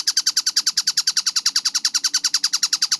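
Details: Kingfisher known locally as tengkek buto, in a clear, closely spaced call series: crisp, high, falling notes fired in rapid regular succession, about ten a second, over quiet background.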